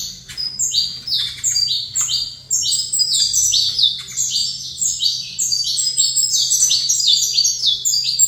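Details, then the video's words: Caged saffron finch facing a second bird, pouring out a fast, unbroken stream of bright, high chips and short trills that stack into a lively, jumbled song, with a constant low hum underneath. "Canto Canário da Terra"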